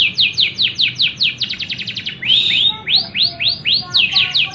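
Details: Caged canary singing in continuous song meant to set other canaries singing: loud, bright chains of rapid upswept whistled notes, first a quick trill, then slower rising-and-falling phrases, bursts of about two to four notes per second.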